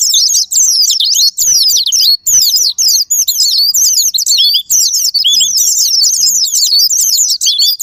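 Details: White-eye (pleci) sparring-partner song to provoke singing: energetic bursts of high twittering chirps broken by short gaps roughly every second, a few lower slurred notes among them.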